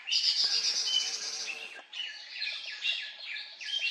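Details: Siberian blue robin recorded near Reiek, Khuangthli, Mizoram. A high, sustained twittering phrase is followed by a series of short, clipped downslurred chirps, about three or four each second, sharp and clear.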